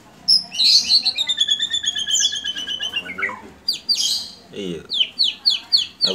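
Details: A Medan-type White-rumped shama in the "sujud" singing style sings a rich, varied run of clear whistles sliding downward, then sharp repeated chattering notes about twice a second; its song is used as a lure for other birds.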